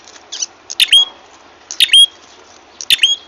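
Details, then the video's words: Ashy tailorbird trapping lure, three bursts each made of soft chips leading into a loud squeak and a thin high whistle, roughly one second apart. "suara pikat burung prenjak kepala merah ampuh"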